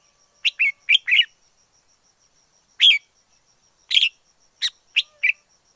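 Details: Wild red-whiskered bulbul: a quick run of four chirpy whistles, a single loud note after a pause, then a closing group of four clipped, bright notes.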